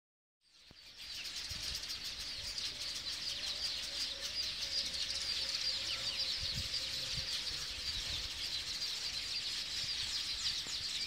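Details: Noisy colony of weavers at Tamboti Ridge, Pongola: a dense, continuous wall of high, sizzling chatter and buzzy twittering from many birds at once, starting abruptly after half a second and holding steady throughout.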